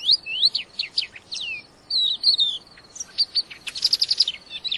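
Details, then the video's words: Crested lark, wild-caught and in full song, giving quick high downslurred whistles, a drawn-out warbled phrase, then a rapid stuttering series of sharp notes. "crested lark liar gacor"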